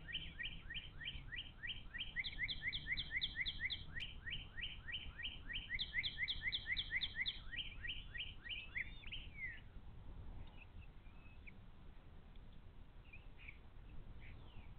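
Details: Bald eagles at a nest on the Little Miami Conservancy live camera, 11 April 2023. An adult brings fish and one feeds the chicks while the eldest chick blocks the younger. A long, fast run of high, piping, stuttering notes is followed by scattered chirps.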